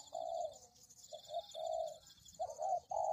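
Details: Spotted dove lure recording, with low hollow cooing notes in a broken rhythm. A short note leads into longer drawn-out coos and the pattern repeats twice, while a thin, constant high-pitched buzz runs behind.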